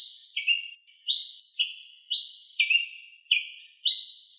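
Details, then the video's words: Ruby-crowned tanager singing persistently in the wild, giving a brisk run of sharp chirps roughly every half second, high and low notes alternating evenly, with nothing else audible. "TIÊ PRETO CANTANDO MUITO - CANTO DO TIÊ PRETO NA NATUREZA"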